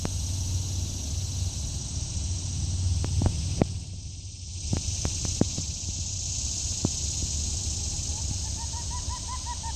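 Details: Unidentified bird in Bel Air, Maryland, on 13 August 2016, giving this short call about once every other minute for five minutes; a quick burst of about eight hooting, harmonic notes comes near the end, over a steady high insect drone and scattered clicks.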